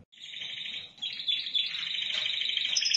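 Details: Spanish timbrado canary in Indonesia producing a long, unbroken metallic trill that falters near one second and then grows steadily stronger and richer.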